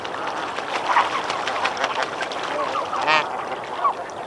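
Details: A snow goose flock splashing and calling in water, recorded at medium close-up, gives a dense babble of nasal honks, with a few louder barks near the end; a boat-tailed grackle is also present.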